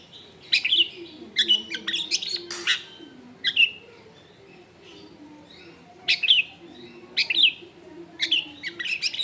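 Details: Long-tailed shrike singing richly varied song, recorded at a home in a crowded neighbourhood: bursts of sharp, high chirps and short whistled notes in irregular clusters with brief pauses, over a faint low hum of background noise.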